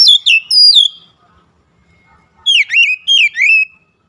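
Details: Oriental magpie-robin: a few bright descending whistles, a short silence, then four loud swooping whistled notes sliding downward.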